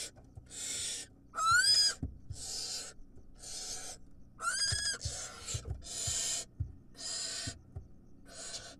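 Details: Wild barn owls at a nest during feeding time, an adult delivering food; a series of harsh, broadband hissing screeches about a second long, repeated every half second to second, two with a bright whistled rising-falling tone, over low thumping noises.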